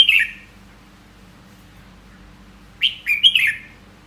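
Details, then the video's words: Red-whiskered bulbul giving a bright whistled note, a pause, then a lively three-part warbled phrase sliding downward. "Giọng hót chào mào"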